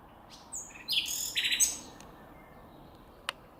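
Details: Song of a common nightingale in the wild: a brief tumble of varied whistles, rasping buzzes and chirps for about a second and a half, then near silence broken by a single sharp click.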